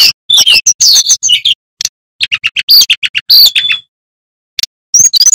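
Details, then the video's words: Loud male flycatcher song with a varied repertoire: a burst of jumbled chirps, a pause, then a rapid regular series of short notes ending in a held whistle, with a few chirps after a gap. "Sikatan Bambu Gacor Bongkar Isian"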